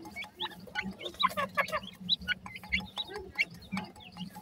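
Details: Young partridge chicks giving clear, high, upward-curving peeps in quick irregular succession, several birds overlapping, over a faint low hum.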